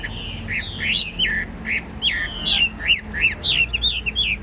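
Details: Caged, tame Chinese hwamei from Vietnam, fanned tail, singing without pause: a quick run of short, bright whistled notes, each a sharp upward flick followed by a dip, repeated about three times per second.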